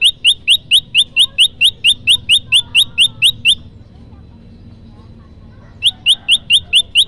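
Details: Olive-backed tailorbird song used as a lure for trapping birds: loud, sharp downslurred notes repeated rapidly about twice a second in a steady run, a pause of a couple of seconds, then the same rapid series resumes.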